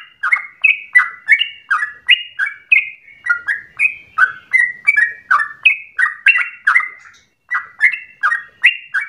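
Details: Yellow-vented bulbul pouring out a fast warbling song meant as a lure for other bulbuls' long singing; liquid two-tone notes repeat about three per second, pausing briefly once near the end.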